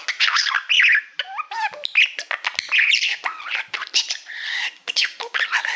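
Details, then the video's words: Mirror-loving male pet budgerigar warbling at a silver plaque indoors; nonstop chatter mixing clicks, squeaks, short whistled slides and harsh buzzy notes. "Budgie singing to Youtube Playbutton"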